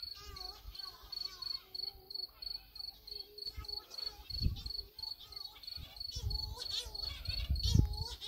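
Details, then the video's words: Cory's shearwater, known locally as cagarro, calling at night on Flores Island in the Azores, Portugal, in July 2020. Faint wavering, nasal wails rise and fall beneath a loud, steady, pulsing insect trill and low rumbling. "Cagarro or Cory's shearwater | Weird Sounding Night Bird on the Azores"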